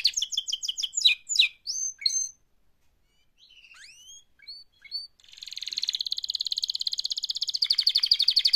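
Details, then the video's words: Canary giving a mating call: a quick burst of chattering notes and falling sweeps, a short pause with soft rising whistles, then a long, even, rapidly repeated trill that grows louder. "Active LIVE mating call Canary Singing"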